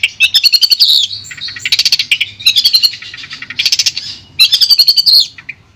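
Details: Song of a long-tailed shrike, used as therapy for a shrike gone silent: loud bursts of fast repeated clicks alternating with squeaky whistled and buzzy phrases, grouped in chattering runs separated by brief pauses.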